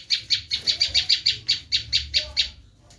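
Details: Bar-winged prinia screaming, about twelve raspy notes in a rapid, steady string lasting two and a half seconds, with a faint whistle from another bird near the end.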